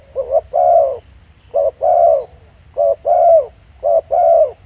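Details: Spotted dove calling loudly in the field. Four quick phrases come about once a second, each a short note and then a fuller, drawn-out falling coo, over faint low background noise.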